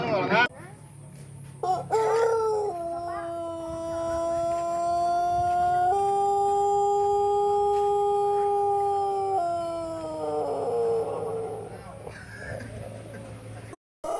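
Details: Pelung rooster of the Jajangkar line, a contest trophy winner from West Java, Indonesia, giving a long melodious crow: a short rising start, then a sustained steady tone held about seven seconds, stepping down and fading at the end; faint background noise.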